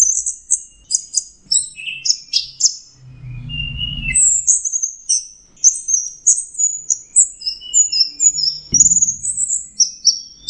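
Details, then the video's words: Orange-headed thrush pouring out continuous teler song: fast high whistles and chirps in a rhythmic chatter, one dip to lower notes midway, with a low rumble near the start and a thud later. "Beginilah suara burung anis merah sedang teler"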